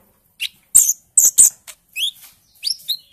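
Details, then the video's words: Olive-backed sunbird, a young bird just moulting from juvenile into green-speckled plumage, used as a lure to start birds singing: a brief string of loud sharp chips and a few thin upslurred chirps. "Pancingan Konin " Ijoan trotol tahap awal dari Ombyoan"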